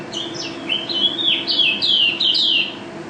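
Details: Mountain white-eye, a national champion, pours out a loud ropel warble of high, smoothly sliding whistled notes linked into long fluid phrases, rising and falling, over a quiet low hum.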